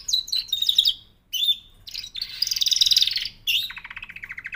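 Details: Canary song of sharp whistled notes and a sustained dense buzzy trill, ending in a lower rattling roll.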